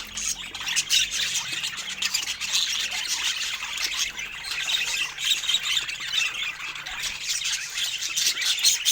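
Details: Several pet budgerigars eating fruit, giving a dense, steady chatter of high twittering and scratchy chirps that overlap without pause, with many birds calling at once.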